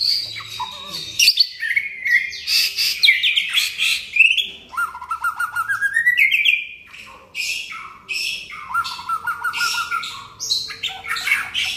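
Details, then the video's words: Constantly singing 'gacor' white-rumped shama delivering a varied medley of clear whistles, buzzy high bursts, stepwise rising note series and rapid trills, phrases linked with brief gaps, faint low hum beneath. "burung murai gacor"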